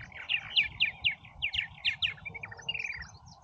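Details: Busy purple martins at Oak Harbor, Ohio, give rapid, rich chirps and gurgling warbles, about four notes a second, over a lower hum of background noise.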